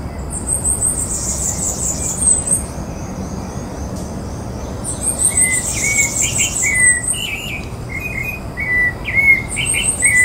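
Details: Rufous-bellied thrush song, Porto Alegre Botanical Garden, Brazil, 14 October 2017: short, mid-pitched whistled phrases in a loose series in the second half, over buzzy chattering from other birds and low background rumble.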